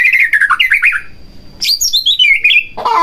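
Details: White-rumped shama song to provoke another shama: a quick warbled run of whistled notes, a brief thin high tone, then a bright descending cascade of high whistles, ending in a harsh burst.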